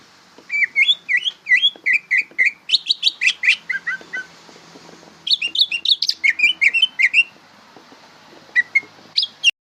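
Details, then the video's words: Young greater green leafbird practising song: busy bursts of varied bright whistles, sharp chirps and slurred notes in quick succession, a pause, then another chattering burst and a few final chirps. "suara burung cucak ijo belajar berbunyi"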